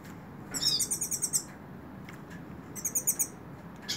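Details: Softer high repeated notes from a hooded siskin held in the hand, two short trilled series separated by a pause, over faint background hiss.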